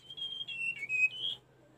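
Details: Tledekan gunung song used for training caged birds: one clear whistled phrase, high and steady, then dipping lower in short steps before rising again, over a faint low hum.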